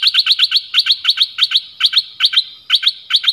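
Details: Decoy bird used to lure other birds, giving a rapid series of sharp, bright chirps in quick clusters of three to five, repeated steadily with short pauses, on a quiet background.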